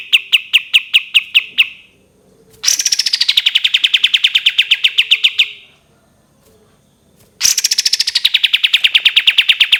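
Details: Three bursts from a cream-vented bulbul in long 'tembakan' style: a short run of spaced notes, then two fast rattling trills that begin high and drop to a level, sharp chatter, with quiet pauses between.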